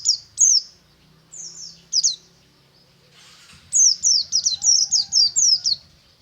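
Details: Morning song of a white-eye in ngalas style: scattered high downslurred chirps, then a fast unbroken run of about ten sweeping notes, with a soft low hum underneath.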